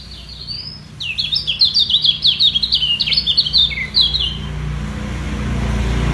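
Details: Yellow white-eye locked in a song contest to keep its position: after a soft opening note, a burst of rapid, jerky high chirps for about three seconds, fading out under a rising low rumble.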